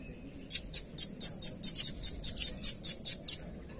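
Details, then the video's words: Velvet-fronted nuthatch, clean song for tutoring and luring other birds: a quick string of about thirteen piercing, high chips, roughly five per second for three seconds, over a faint low hum. "SUARA PANCINGAN & MASTERAN RAMBATAN PARUH MERAH JERNIH"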